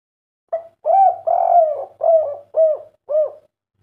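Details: Spotted dove singing the kuk 3 style, answering a master training recording: a short lead note then five low, mellow coos, one long and drawn out, each rising then falling, about two per second.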